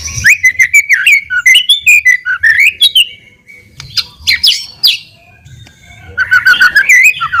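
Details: White-rumped shama singing as a lure to provoke a response: rapid run of loud whistled and chirping notes, a quieter varied middle passage, then another fast burst of repeated sharp notes.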